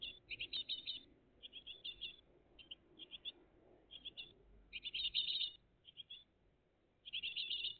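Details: Great tit family on 20 June 2023, recorded live between 06:02 and 08:01 in the morning, gives high, thin, scratchy notes in quick irregular clusters, several bursts a second with short pauses, over a faint low background hum.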